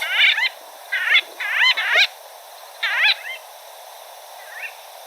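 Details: White-fronted bee-eater in the Okavango Delta region of Botswana, Southern Africa, giving nasal, squeaky calls in short uneven bursts.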